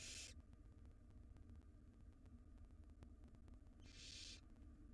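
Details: Begging wild barn owl nestlings in a nest box while the female brings a jird. A short hiss opens, then a rasping, breathy screech comes about four seconds later. A constant low droning hum runs underneath.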